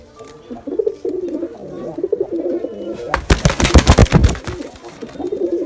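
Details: Male and female pigeons cooing softly, interrupted midway by a loud burst of fluttering, thumping noise before the low coos resume.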